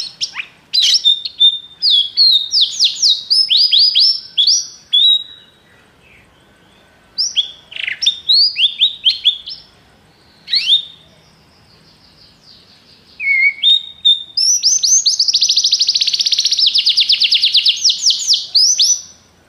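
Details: Belgian canary (Serinus canaria domestica) singing rapid, bright phrases of trills and chirps, ending in a long rolling trill.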